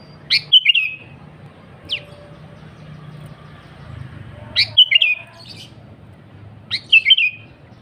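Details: Kutilang, the sooty-headed bulbul, calling in lively 'gacor' style as a lure: three short phrases about two seconds apart, each a sharp upswept note then rapid bright whistled notes, with one lone upslurred note between the first two.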